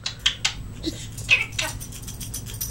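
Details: Pet African grey parrot indoors, known for mimicking laughter and talk, gives several short harsh, buzzy bursts in quick succession, two sharp squeaks early, then a louder scratchy burst, with faint room hum beneath.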